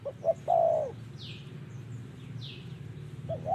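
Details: Spotted dove heard during decoy trapping, in the 'giọng thổ' cooing style: two quick short coos, then a long, level, mellow coo, with further short coos at the end. Two high, falling chirps of other birds sound in the pause.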